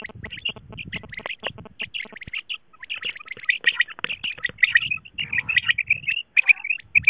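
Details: A female quail gives short, harsh, high chattering calls, about two a second, in quick uneven runs, with some low rumbling handling noise; a recording used as a morning lure for quail hunting.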